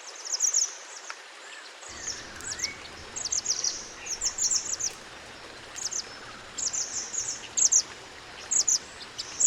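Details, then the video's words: Mountain white-eye from the wild, a natural master recording to teach other birds: short high chirped phrases repeated roughly every second, thin and bright, with a soft lower whistle and background hiss. "MASTERAN SPESIAL MANTENAN GUNUNG ASLI ALAM COCOK UNTUK MERAPATKAN ISIAN BURUNG ANDA"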